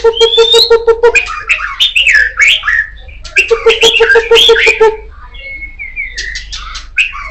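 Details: Oriental magpie-robin of the kacer poci type in loud song: rapid runs of harsh, buzzy repeated notes, about three per second, mixed with twisting squeaky warbles, then short flat whistles.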